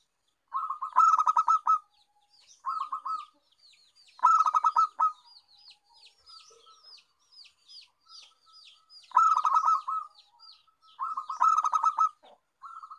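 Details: A zebra dove, a champion lure bird, gives bursts of rapid, stuttering cooing notes, with small birds chirping faintly behind.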